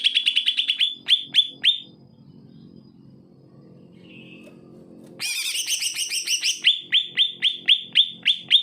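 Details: Singing greater green leafbird, a recording used to prompt reluctant leafbirds to sing: series of sharp, high, down-slurred chirps, a pause with a brief soft note, then a burst of rich, buzzy notes and renewed rapid chirping.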